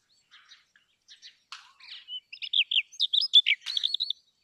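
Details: Brown rock chat starting with soft scattered clicks, building into a loud, rapid string of high chirps and warbled notes.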